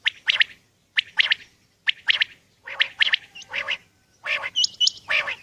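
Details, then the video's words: Common quail giving short, sharp phrases of two or three clipped notes, repeated about once a second, with faint higher whistles near the end. "Quail batair song ,Common Quail ,batair ki awaz"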